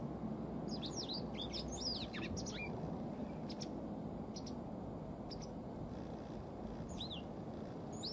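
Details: Tame white wagtail that shows no sign of breeding in spring. Sharp, high chirps come in a quick cluster over the first three seconds, then a few sparse notes follow, over a steady low rumble of background noise.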